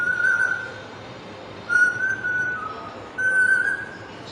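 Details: Parrot whistling the Bollywood movie melody "Kuch Kuch Hota Hai": three level, pure whistled notes, each about half a second long, spaced roughly 1.5 seconds apart, over low room hiss.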